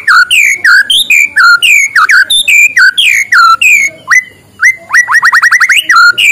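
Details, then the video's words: White-rumped shama morning song, used to draw lazy shamas into singing: vigorous whistled phrases with swooping slurs, a short pause, then quick repeated upslurred notes rising into a fast run. "suara muraibatu di pagi hari, untuk pancingan muraibatu malas bunyi"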